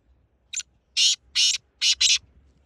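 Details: Black francolin calling: a short series of five harsh, grating, noisy notes, the second to fifth about a third of a second each, with the last two run together, over a quiet background.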